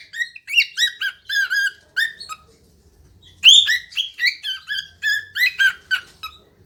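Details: A cockatiel, said to be talking "Pika Pika Pikachu", sings a run of clear warbling whistles with quick upward and downward slurs.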